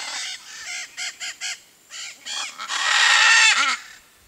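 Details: A Blue-and-yellow macaw (Ara ararauna), camouflaged in a tree in the Brazilian Cerrado, gives a run of short, harsh, raspy squawks, then one long grating screech lasting about a second.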